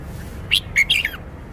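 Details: Song phrase from a red-whiskered bulbul showing off its repertoire: three clear chirped notes, the last sliding downward, against faint background noise.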